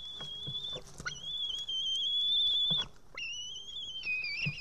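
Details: Young female white-tailed eaglet at a nest in Estonia, evening of 8 June 2018, calling for help to be fed after failing to tear a fish: thin high sustained whistles, slightly wavering, in long strands with short breaks and faint rustling.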